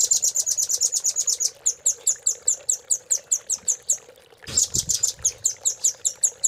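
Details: Velvet-fronted nuthatch master song used to prompt caged birds to sing: rapid, very high trill of sharp repeated chips, broken by a brief gap, then resumed at the same fast pace.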